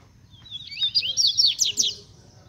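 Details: A captive pet Rusty-collared Seedeater sings a quick, high, warbling phrase of sliding and rising notes lasting about a second and a half, over a faint low hum.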